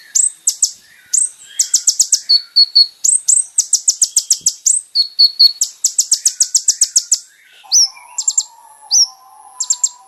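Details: Kolibri ninja, or olive-backed sunbird, singing for a caged-bird training recording: clustered bursts of very high rapid chips alternate with short flat whistled notes, followed by scattered sharp upslurred chirps over a faint low drone.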